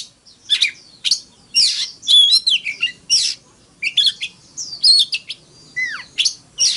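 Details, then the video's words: Oriental magpie-robin singing a fighting song, dense high twittering and squeaky phrases with whistles, including a falling slurred note late on. "Tiếng than mồi hót đấu"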